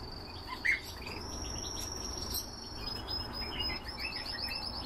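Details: Canaries kept for breeding: a long, thin, high whistled tone holds steady for several seconds, then breaks into a fast rolling trill of rapid repeated notes near the end, with a few soft chirps and a steady low hum behind.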